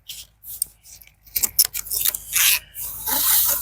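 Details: Rubbing and scraping noises with short rasping bursts and clicks, growing louder in the second half; no animal voice is heard.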